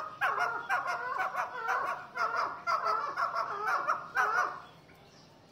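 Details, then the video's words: Fighting chukars calling in a steady rhythm of rich, rasping chuck notes, about two each second, sustained for four seconds before stopping abruptly. "لڑائی والے چکور"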